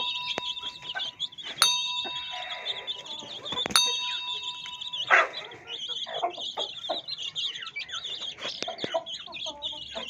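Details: Hen's chicks chirping steadily in a high, overlapping chorus. Two sharp clicks and a brief tonal beep break in, and lower scratching and clucking sounds come midway.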